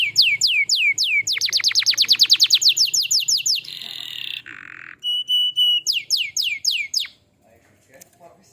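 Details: Active canary song used to prompt other canaries: swept downward notes, a long fast trill of repeated chips, a buzzy roll, a flat whistle and more sweeping slurs before the song stops, leaving near silence.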